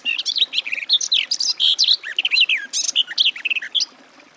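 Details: Loud, close Garden warbler pouring out an unbroken, fast warble of varied chirps, slurs and trills from start to finish.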